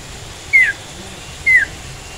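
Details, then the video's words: Sooty-headed bulbul sound used as a lure for bird catching: two clear, short whistled notes sliding downward, about one second apart, over a steady background hiss. "sirtu bakal nyaut setelah dengar suara sirtu ini"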